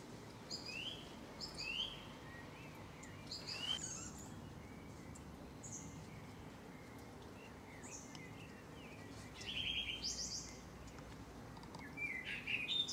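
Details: Common blackbirds giving their usual evening song on 20 May 2012 in Wijchen, eastern Brabant, Netherlands, undisturbed by distant lightning. Faint fluted and warbled phrases come at intervals over a steady broad hiss of background noise.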